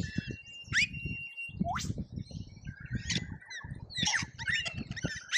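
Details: Several lorikeets crowd a feeder in Australia during a feeding frenzy, filmed on a feeder camera. They give sharp rising squeals and short screechy chirps over steady low rustling and tapping.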